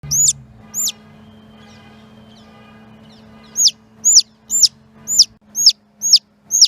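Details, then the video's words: Baby chicken calling for its mother, recorded on a Panasonic DMC-GH3: high, sharp, downslurred peeps, two at the start, then a steady run of about seven peeps roughly every half second, with a faint low hum underneath. "Cute baby chicken makes dinosaur sounds when slowed down."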